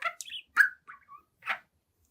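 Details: Young pet budgerigar, seven months old, at its mirror giving a few short whistled chirps and squeaky notes, clear and separate, over about two seconds of otherwise quiet room.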